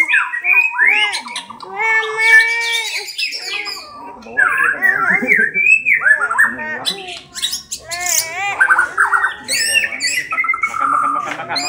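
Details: White-rumped shama of the kesra buntok type delivering a loud, varied song of rich whistles, rising and falling slurred notes, harsh chattering bursts and quick trills, phrases changing every second or two with only short pauses between them.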